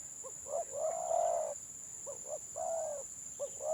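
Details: Village spotted dove, gelang patah type, giving stuttering 'gagap' song: short broken notes, a long swelling coo, more stammered notes and a second coo, against a constant high electronic hum.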